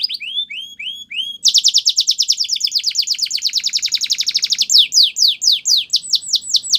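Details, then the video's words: Belgian canary song beginning with looping upslurred whistles, switching to a loud long rapid trill, then ending with slower downslurred whistles repeated about three times a second. "Canary Singing | Belgian Canary"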